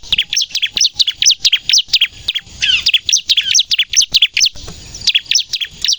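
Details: Bar-winged prinia singing vigorously, a recording meant for luring and for training captive birds: quick repeated high chirps, a little over two a second, with a scratchy jumbled phrase midway.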